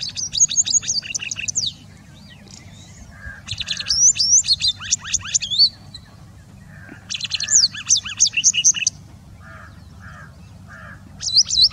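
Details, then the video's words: White-browed wagtail giving three bursts of rapid, high, sweet whistled notes, each about two seconds long, separated by short pauses, over a low background rumble. "Bird call: White-browed Wagtail"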